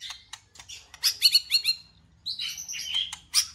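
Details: White-rumped shama song used to prompt a pet bird to sing: rapid bursts of high chips and buzzy trills, a brief pause, then bright slurred whistles and a sharp final note.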